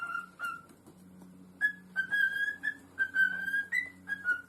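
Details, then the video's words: Whistled phrases from a pet parrot: steady, pure notes held about half a second each, a brief quiet gap, then a quicker series of level and slightly rising whistles over a low background hum. "Parrot Talking Videos Compilation"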